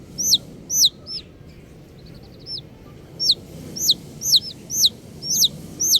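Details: High falling chirps from baby chickens, paired at first, then a brief quieter pause with soft faint notes, before the loud peeping resumes in a brisk regular series.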